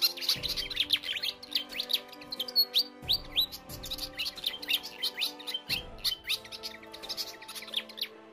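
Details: Pied Fantail, a bird that sings diligently at dawn, gives quick runs of high, thin chirping and squeaky notes in bright bursts, over soft background music.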